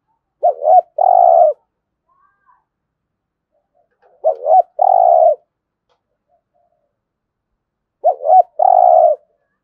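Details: Spotted dove cooing in the 'thúc gù' manner, used for daily decoy training: three matching low phrases roughly every four seconds, each a quick wavering double note then a long steady coo, with near silence between.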